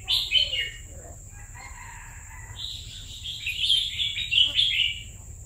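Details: Caged red-whiskered bulbul, two years in keeping, delivering a longer chattering, warbled song with a loud opening note, softer lower phrases in the middle, then a sustained rich run of bright notes; constant low hum underneath.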